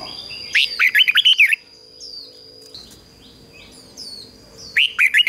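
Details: A red-whiskered bulbul sings as a lure for wild birds, giving a loud rollicking warble of quick up-and-down notes, a quieter gap with faint high chirps, then another warbled burst at the end.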